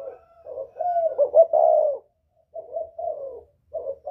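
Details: Spotted dove in the northern style, with a whistle-like voice, used to excite wild birds: a rising stuttered coo builds into one long smooth hoot, then two softer short coos follow.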